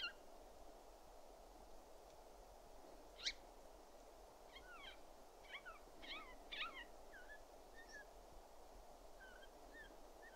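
Siberian jay giving soft, short whistled and slurred notes in loose clusters, with one sharper chip, over a steady low background hiss.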